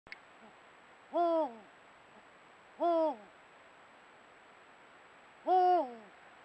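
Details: Eurasian eagle-owl (Bubo bubo hispanus) in breeding season, male offering a vole to the female in courtship: three short, harmonic, downward-sliding calls, each about half a second, two to three seconds apart, over a low hiss.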